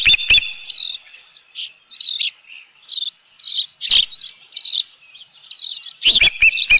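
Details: Alarmed Osprey at a nest on Dunrovin Ranch, 25 May 2018, reacting to an intruder with bursts of piercing chirped whistles, a few falling in pitch, interrupted by loud clattering knocks at the start and end.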